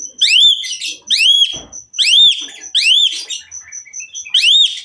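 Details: Asian pied myna singing hard, with a run of loud arched whistled notes nearly once a second, a high thin repeated pip in the background, and a brief pause before the last note.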